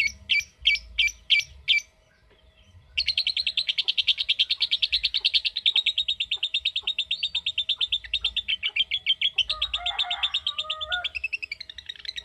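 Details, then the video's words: Lovebird sounding a long ngekek trill: a few sharp chirps, a pause, then a sustained fast rattling chatter lasting about nine seconds, briefly dipping into lower squawks near the end. "Cara Cepat Memanggil Love Bird Agar Ngekek Panjang"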